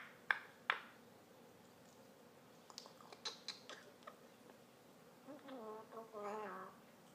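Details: African grey parrot kept as a pet, acting cute: sharp clicks and soft ticking noises, then a wavering, warbled harmonic phrase in two quick parts near the end.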